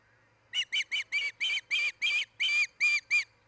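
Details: Osprey at a nest camera in Charlo, Montana, where a breeding pair is nesting, 10 July 2018: ten loud, shrill, whistled chirps in quick succession, each slightly down-slurred, steady and evenly spaced over about three seconds, with a faint low hum behind.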